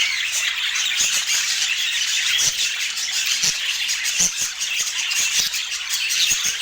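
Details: Budgies feeding in natural Scandinavian light chatter steadily in a busy, overlapping twitter of high notes. Scattered brief clicks and knocks punctuate the chatter throughout, with no music.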